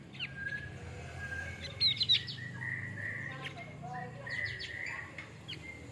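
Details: Male Javan grey-throated white-eye singing: scattered short, sharp chirps and high thin whistles, some sliding notes, irregularly spaced over a soft hum of background noise.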